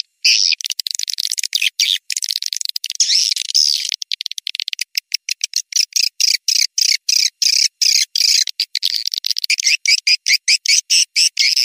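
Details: Swiftlet lure call of the Tuyul Sakti style, used to attract swiftlets: high, buzzy twittering chirps in quick, chopped bursts, broken by many short silent gaps throughout, with no other sounds.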